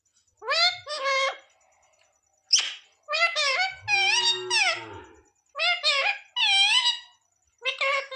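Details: Bhajan-singing parrot repeating "Radhe Radhe" and "Mithu Mithu" in mimicked speech. A string of nasal, high-pitched word-like phrases comes in short bursts with brief pauses. Each phrase bends up and down in pitch, in a quiet room.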